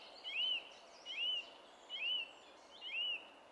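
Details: Song thrush on 27 April 2016 repeats the same clear, arched whistled phrase four times, about once per second, against steady low background noise.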